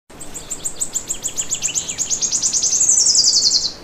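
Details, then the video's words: A small bird sings in the morning, a fast high trill of rapid notes that speeds up and runs together, ending in a sustained high buzzy note. "Cute bird's singing video"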